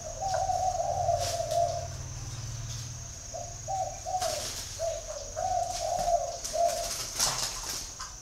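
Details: Spotted dove in Ba Vì, Hanoi, Vietnam: a long cooing note, a pause with low rumbling, then a broken series of six or so short coos, with a thin high whine and occasional rustles.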